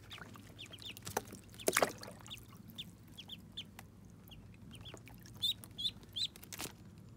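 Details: Muscovy ducklings at their first bath, giving short, thin, rising peeps repeated irregularly, with several brighter peeps near the end and occasional splashes of water.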